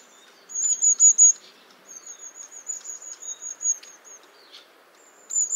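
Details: Long-tailed tit calling: thin, very high, slightly sliding notes, a loud burst of four at first, then a run of about a dozen softer quick notes, a brief buzzy note, and another loud pair at the end.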